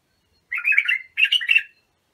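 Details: Bulbul singing for the training of young birds: two bubbly, warbling phrases in quick succession, the second brighter and ending in a brief trailing note, on a quiet background.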